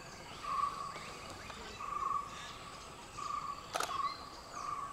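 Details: At Thattekkad, a flame-throated bulbul gives short, even whistled notes about every second and a half, with a sharp click partway through.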